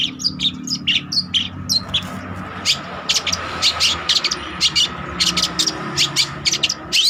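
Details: Spotted trotol long-tailed shrike in full voice for training use: quick bursts of sharp chips and short scratchy notes in uneven runs, over a faint low hum.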